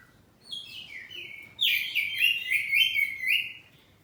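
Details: Kept oriental magpie-robin, poci form, in open 'ngeplong' song: a rising whistled lead-in, then from about 1.6 seconds a continuous loud stream of high whistles and trills, fading at the close.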